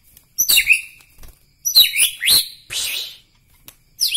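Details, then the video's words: White-rumped shama from Medan, Bahorok: three high, scratchy, buzzy phrases with upslurred whistles, separated by brief silences. "ciri ciri murai batu Medan Bahorok"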